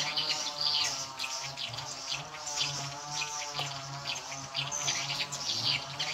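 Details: Lure sound for edible-nest swiftlets played at the nine o'clock volume setting, birds quickly gathering. A continuous mass of sharp high chirps and trills over a faint low electrical drone.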